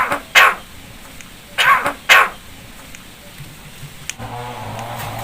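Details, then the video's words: Captive starling imitating a human cough: three short, harsh, breathy bursts, one near the start and two close together after a pause, with low hum entering at the end. "BURUNG JALAK BISA NGOMONG "UCAP SALAM DAN BATUK""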